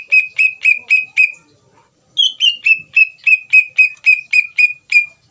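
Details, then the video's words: Bait song of a greater green leafbird, meant to make another leafbird angry and answer at once: five ringing downslurred whistles, a short gap, then a rapid steady run of about eleven similar notes. "PANCINGAN CUCAK IJO GACOR UNTUK CUCAK IJO BAHAN BIAR EMOSI DAN LANGSUNG NYAUT"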